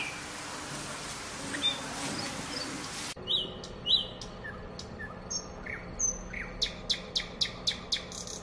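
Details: Singing nightingale in the wild: after a few seconds of hiss, scattered clear whistles and short slurred notes lead into a fast series of sharp, evenly spaced clicking notes.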